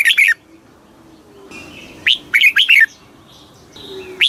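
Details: Fast kích bổi singing by a red-whiskered bulbul: two full phrases of quick, rolling, slurred notes plus clipped fragments at each edge, with a soft, high background hum.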